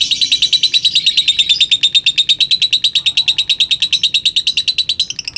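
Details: Lutino rosy-faced lovebird, a contest winner from Gresik in East Java, delivering its long 'ngekek' trill: dense, harsh chirps that start fast and louder, then settle into an even rhythm and fade near the end.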